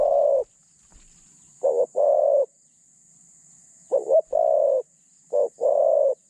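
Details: Caged spotted dove serving as a decoy for trapping wild doves, medium voice and thin phrasing: a long coo, then three phrases of a brief clipped note followed by a sustained steady coo.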